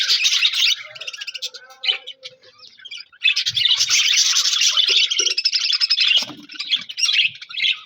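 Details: Budgerigars chirping with a new budgie friend, recorded January 4, 2026: bursts of bright rapid chirps and warbles, a quieter lull near two to three seconds, then dense chattering again with a few low taps.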